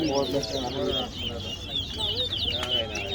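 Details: Towa towa (chestnut-bellied seed finch) singing at a bird singing competition at Guyana National Stadium, two caged birds competing; continuous rapid warbled twittering with quick rising and falling notes, overlaid by crowd chatter and lower human voices.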